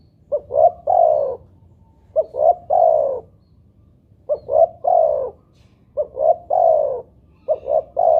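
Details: Spotted dove (tekukur) playback call meant to prompt other doves; low mellow three-part coos, two quick notes and a longer falling coo, repeated steadily about every two seconds.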